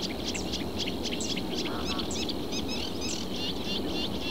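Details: Reed warbler calling from a reed bed in southern Portugal: a busy stream of short, harsh, chattering notes with quick clicks and squeaks, over a steady high hum and low rumbling background noise.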